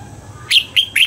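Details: Red-whiskered bulbul in dawn song training, a brief fragment of three loud, clear whistled notes, the last one wavering and cut off.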